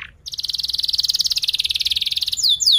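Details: Canary delivering a long tight roll ('rol rapat') to teach juvenile canaries: one steady, very fast trill of evenly repeated high notes, ending in a few sharp descending chirps.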